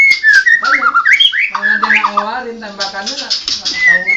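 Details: White-rumped shama of the Medan type with blorok (mottled) plumage, singing varied loud whistled phrases that slide up and down, mixed with harsher, richly layered notes and a few clicks, delivered in quick, uneven succession.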